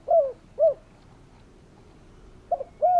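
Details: Spotted dove heard in calling: two short falling coos, a pause of nearly two seconds, then a stuttered note and another hollow coo starting.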